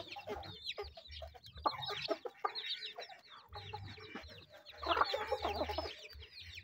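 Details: Chickens feeding in a busy, bunched chatter of high downslurred peeps and mid-pitched clucks, swelling in bursts, with low thumping underneath.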